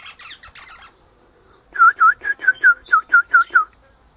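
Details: Eastern rosella high in a hedge one morning, mate nearby in a pecan tree; harsh chattering at first, a short pause, then a loud even series of about nine piping whistled notes, roughly five per second.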